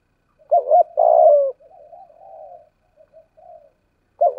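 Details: Caged decoy spotted dove of the 'thổ' voice style: a wavering double coo and long falling coo, trailing into soft, quiet cooing notes, before the next phrase starts.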